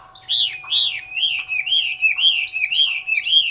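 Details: A Chinese hwamei kept in a cage in Hanoi, Vietnam, repeats loud, slurred whistles that rise and fall, about two per second, each note bending smoothly into the next in a ringing, even series.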